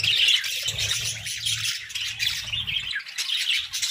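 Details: Budgerigars in captivity giving a loud, continuous high chirping warble, scratchy overlapping twitters, over a steady low humming rumble.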